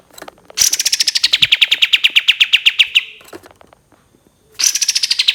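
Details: Long shooting trill, 'tembakan', of a cream-vented bulbul in a tutor recording: the trill starts high and shrill, then settles lower into quick steady pulses. After a gap, a fresh high run begins.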